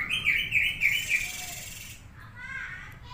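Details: Grey-cheeked bulbul calling with a series of wavering, slurred whistles repeated several times, then quieter warbled notes toward the end.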